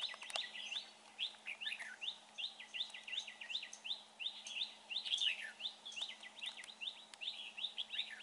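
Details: Red-whiskered bulbul during trapping, said to sing well; a rapid, slightly uneven series of clipped, rising and falling whistle notes, with a few sharp clicks mixed in.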